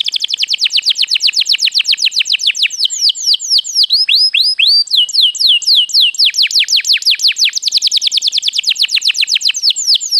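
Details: ['Canary singing to stimulate other birds: a long unbroken flow of fast repeated high notes and slurred whistles, shifting between rolling trills and sweeping phrases for ten seconds.']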